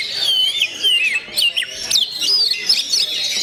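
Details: Gondo mayit singing from an oriental magpie-robin, opening with a falling whistle, then sharp upslurred notes and bright ringing whistles held briefly.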